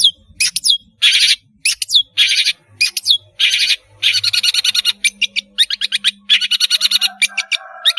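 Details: Energetic long-tailed shrike song, a lure for young birds to copy: dense harsh chatter and scratchy rattles strung into rapid pulsing runs, ending in quicker clipped notes.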